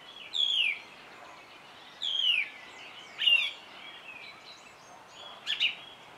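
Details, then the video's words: Song thrush singing loud, slurred, descending whistled notes, each repeated, separated by pauses of about a second, ending in a sharper high double note. "Énekesrigó - Turdus philomelos - Song Thrush"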